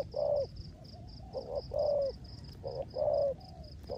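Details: Decoy spotted dove cooing in rain in the rước gù style: deep, soft paired notes, a brief lead-in then a drawn-out hum, repeated about every 1.3 seconds, with a constant high chirping background.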